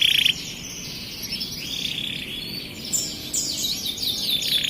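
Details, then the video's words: Starblue canary singing steadily in high, continuous twittering warbles, with rolling trills and quick rising and falling sweeps that run on without pause. "Kenari Starblue Gacor"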